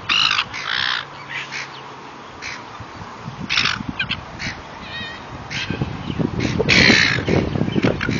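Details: Noisy gulls crying while being fed: short, harsh, scattered calls from several birds, with a louder burst near the end over low background rumble.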